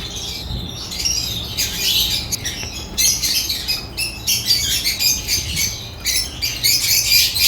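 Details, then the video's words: Several African lovebirds sing in loud, scratchy clusters of high chirps and squawks, bursts lasting about a second separated by brief lulls, steady low hum beneath. "Lovebird chirps sounds"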